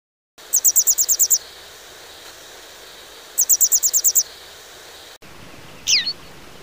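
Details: A Western yellow wagtail gives two quick bursts of about eight thin, high chipping notes, then one sharp down-slurred note, over faint background hiss.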